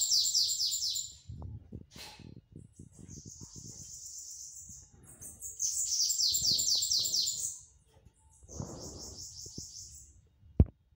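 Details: Bananaquit repeating its 'batidas de pitiú' song: several bursts of rapid, shrill descending notes alternating with flat buzzy trills, separated by gaps filled with low thumps and a sharp knock at the end.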